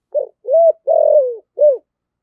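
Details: Spotted dove, a lure bird of the deep 'giọng thổ' voice type, calling to the flock: four low cooing notes, the third long and falling, clean with no other sounds.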